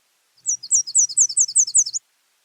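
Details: Nashville Warbler song, as given by a male arriving in spring to claim a territory and attract a female: a high, fast series of about eight paired sweeping notes in an even rhythm, over about one and a half seconds.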